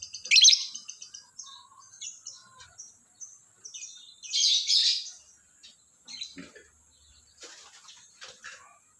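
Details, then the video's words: Lovebird heard in the morning, uttering scattered bursts of shrill, scratchy chirps and squeaks separated by short pauses. "SUARA BURUNG LOVEBIRD DI PAGI HARI"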